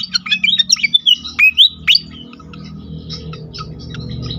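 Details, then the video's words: Pied fantail singing as a lure to trigger other fantails: about a dozen sharp whistled notes, several swooping upward, packed into two seconds, then fading to scattered faint chips over steady low background hum. "sekali pancing bikin cepat gacor sikatan kipas lain"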